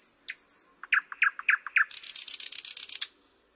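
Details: Thrush nightingale delivering a strophe: high whistled slurs, a run of seven clipped knocking notes, then a loud fast chattering rattle ending abruptly; no other sounds.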